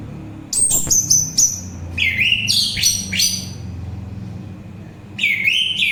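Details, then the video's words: Orange-headed thrush in full song: descending high whistles, then lower buzzy slurred phrases repeated in rapid, uneven runs, with a faint rumble beneath. "Begitu Syahdu Suara Anis Merah"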